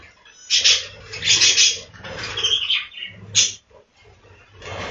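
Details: A budgie farm's breeding room holds budgerigars whose uneven, scratchy squawks and chirps come in irregular bursts, with a sharp high note near the middle and a faint low hum.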